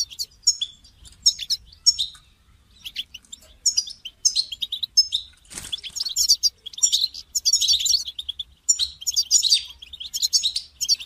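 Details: European goldfinch call played to encourage a caged goldfinch to sing: busy, bright twittering phrases and sharp high notes throughout, with a brief broadband thump midway.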